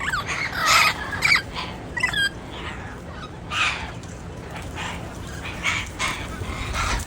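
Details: Wild turquoise-fronted amazon giving several loud, harsh squawks early on, followed by fainter scattered calls and quieter background noise.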